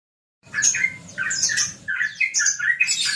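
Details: Sooty-headed bulbul (trucukan), called a champion, in a relaxed rapid ropel style: bubbly, chirping notes that jump between low and high pitches in a busy, irregular flow after a short silence.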